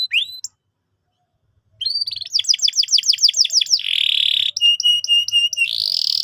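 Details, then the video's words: Canary song to coach young canaries: a brief opening note, a pause, then a rapid series of downslurred whistles, a buzzy rolling trill and a run of repeated clipped whistles. "PANCINGAN BURUNG KENARI GACOR BUAT PAUD BERMENTAL TINGGI"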